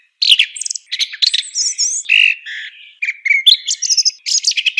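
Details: Song thrush delivering a fast, varied song of crisp whistles, trills and squeaky rattles, with notes repeated in short bursts and little pause between phrases, no other sounds audible.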